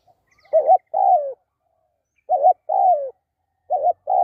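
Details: ['Spotted dove repeating its two-part coo three times, roughly every one and a half seconds. A clipped wavering note leads into a longer downward-sliding coo. A faint high chatter is heard near the start.']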